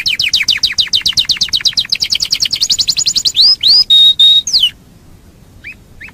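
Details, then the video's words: Domestic canary singing fast 'gacor' style, used to train contest birds: a rapid run of sharp repeated notes about fifteen per second, then several loud whistled slurs and a steady held note, ending in near silence with two faint chirps. "SUARA BURUNG KENARI CEPAT GACOR"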